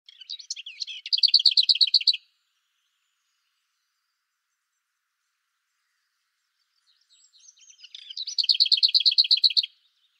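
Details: Lesser whitethroat singing: two phrases, each opening with a soft, scratchy warbled chatter that runs into a loud, dry rattle of rapidly repeated identical notes lasting about a second. The phrases are separated by about six seconds of silence.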